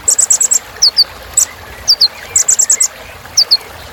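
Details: Kolibri ninja sunbird singing lively filler song: quick strings of five high metallic chips, answered by paired descending whistled tsips, repeated several times with brief pauses.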